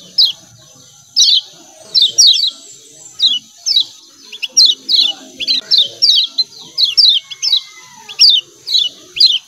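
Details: Lemon-bellied white-eye call, the 'ciak ciak' type: sharp downward chirps repeated steadily in pairs and singles, with a faint rising whistle briefly in the background and a steady hiss.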